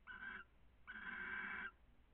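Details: Barn owls, a pair being affectionate in Cabañeros National Park, give two raspy, buzzy calls: a short one followed by a longer, steady drawn-out one. The setting is otherwise quiet.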